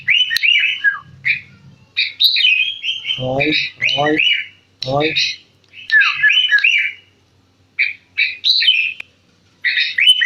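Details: Sooty-headed bulbul delivering repeated short warbled whistled phrases with gaps between them, joined by a few harsh, raspy squawk-like bursts and faint low murmuring.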